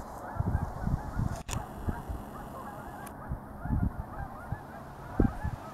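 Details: Distant flock of geese at a reservoir in Altus, Oklahoma, a quiet background of honking with a few clearer groups of calls rising out of it.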